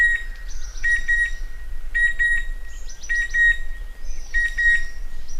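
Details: Chestnut-winged cuckoo calling: short whistled notes, often paired, recur about once a second over a steady thin high tone, with fainter higher chirping notes from other birds overlapping throughout.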